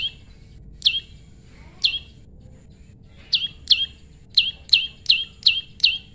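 A prinia gives sharp, high chirps that drop in pitch, spaced irregularly at first, then quickening to about three per second. A faint steady hum sits underneath.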